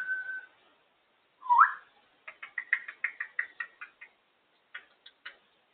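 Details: A female African grey parrot enjoying time out of the cage whistles a steady tone, then a sharp upward swoop, then a rapid string of about a dozen clipped chattering notes.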